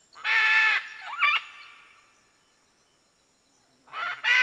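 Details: Red-and-green macaw giving a loud, harsh, harmonic squawk, then a shorter rising screech, a long quiet gap, and two more raucous squawks at the end.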